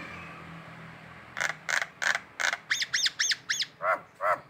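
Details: Collared kingfisher calling in the morning in Indonesia. A harsh, squawking run of about a dozen rapid notes, roughly three per second, starting evenly and turning into lower, drawn-out notes at the end.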